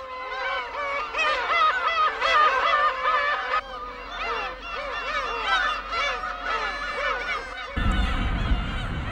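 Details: A breeding colony of about 20,000 Black-tailed Gulls arriving and settling nest sites on uninhabited Hongdo island off Tongyeong, South Korea, gives overlapping, nasal, cat-like mewing calls that rise and fall continuously, ending in a rush of wind and wingbeats.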